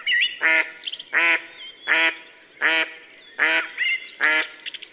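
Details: Female mallard calling at sunset near Yelno village, Novgorod oblast, Russia, on 8 April 2015, during the mating season: six loud, nasal, harsh quacks about every three-quarters of a second, with thin high whistled notes of other birds between them.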